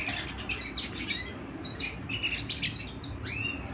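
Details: Short burst of canary singing at home, quick high twitters and chirps ending in a clear rising then falling whistled note.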